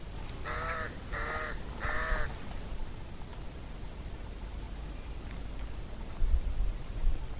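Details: Somali crow calling three harsh, raspy caws in quick succession, about half a second apart, then silence apart from faint background noise and a low thump near the end.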